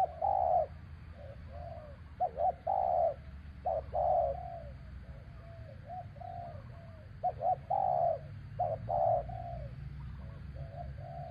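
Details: Spotted dove used in traditional dove-luring, cooing to coax a bird down: low, mellow, hollow coos in short groups, some doubled and stuttered, repeated over several seconds against a quiet rumbling background.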